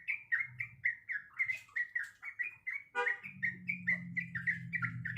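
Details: Sooty-headed bulbul, a female calling the male, gives crisp, separated whistled notes in a regular bouncing rhythm, then continues as a low humming drone begins partway through.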